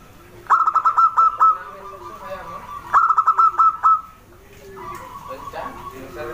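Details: Small local zebra dove singing: a short series of clipped, cooing notes followed by a longer trailing coo, the whole phrase given twice, with a softer coo afterwards.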